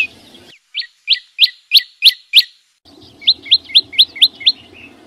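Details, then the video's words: A flowerpecker in the wild sings short series of thin, sharply slurred high notes, about six in a row, pausing, then another similar series over a soft background hum. "Tiếng chim sâu xanh hót vang"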